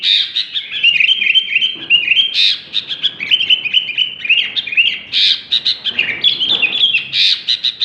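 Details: Sooty-headed bulbul in full song ('super gacor'): rapid liquid whistled phrases, sliding notes strung together with sharper high accents every second or two, almost without pause, loud against a quiet background.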